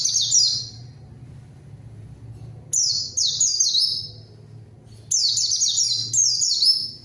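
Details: Zosterops (pleci) lure song to draw a rival and make silent birds sing; three bursts of fast, high, descending chirped notes with pauses between, low hum underneath.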